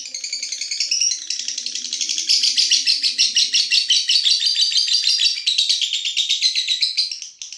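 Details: Night-time ngekek of a lovebird, one long continuous run of rapid, scratchy high chatter that barely pauses across the whole stretch, with a few soft lower murmurs near the start.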